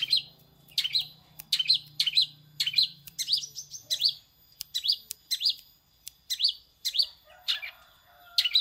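A Long-tailed Shrike sings a rapid run of sharp, high chirps, about two a second, copying a prinia's song; a low hum sits beneath the first half.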